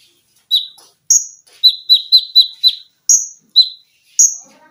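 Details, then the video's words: Konin (olive-backed sunbird) kept as a singing cage bird, recorded as masteran in tembakan rapat style: a quick volley of five sharp chips at one pitch framed by higher piercing notes. "TERAPI KONIN GACOR FULL TEMBAKAN RAPAT!!!MESIN JAHIT,LENGKINGAN DAN BESETAN."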